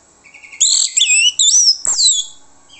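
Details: Orange-headed thrush song used as a lure so other birds answer: loud bright whistled phrases with quick sweeping slurs and high thin notes, delivered in bursts of rich warbling over about two seconds.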